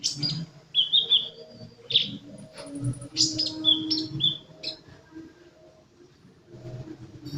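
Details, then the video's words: Sunbird in full song delivers high twittering notes, a few short whistled trills and sharp chips, then quieter gaps, while a low hum runs throughout. "Burung kolibri gacor"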